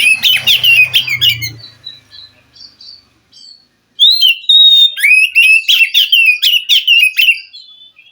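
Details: Oriental magpie-robin from the wild forest, singing to prompt a reluctant captive bird: a rich mix of whistles and chirps, a pause, then rapid loud repeated rising and falling phrases. A faint low hum is heard at first.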